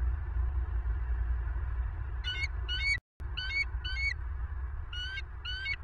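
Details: Southwest Florida bald eagle nest camera, around 22:58 on 25 November 2022: six high, thin, slightly rising chirps in pairs, separated by short pauses, over low rumbling noise with one short audio dropout.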